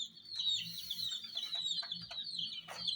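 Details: Many hen chicks go after miniature toy jeeps, peeping high and thin in a continuous overlapping chorus with a few short, sharper chirps.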